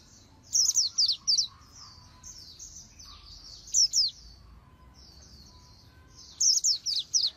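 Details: High-pitched 'líu' song of an Oriental white-eye for voice training: clusters of three to five quick, sharply swept chirps, with softer, thinner twittering notes filling the gaps between the louder bursts.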